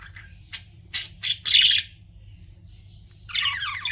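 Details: Pet budgies utter several loud, harsh squawks in quick succession, then a pause and a burst of gritty chatter, with a low hum beneath.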